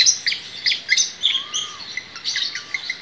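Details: Long-tailed shrike singing a fast jumble of scratchy, high, mimic-like notes, with two softer low whistled slurs in the background.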